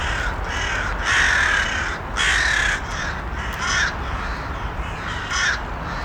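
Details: Crows cawing: harsh, raspy caws about a second apart, the loudest near the start, then softer, more distant answers, over a steady broadband hiss.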